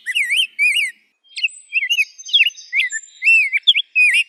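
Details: Two wavering whistles from a rose-breasted grosbeak, a brief gap, then a rapid jumble of slurred, bouncing whistled notes.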